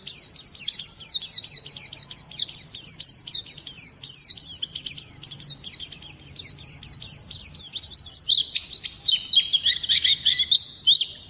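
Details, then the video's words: Oriental white-eye maintaining a long, energetic stream of high, rapid twittering and sweeping chirps, growing louder toward the end. "kicau burung Pleci"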